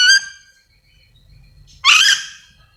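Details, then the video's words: Yellow-and-green lorikeet of Sulawesi calling: a brief tonal squeal followed after nearly two seconds by one loud, harsh rasping screech, over a low background hum. "Suara asli nuri dora memanggil"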